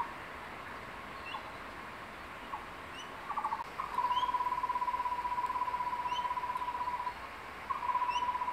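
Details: Male crested goshawk near the nest in secondary forest, calling his incubating mate to take a tree lizard he caught for her lunch. A few short chattering bursts lead into a long, steady, even trill lasting about three seconds. Faint high whistles from other birds are heard.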